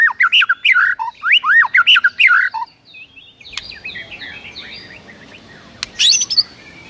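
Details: White-rumped shama song played in the morning as a training recording to provoke rival birds: rapid varied whistled phrases with sweeping rising and falling notes, then quieter chattering notes over background hiss and a few sharp clicks.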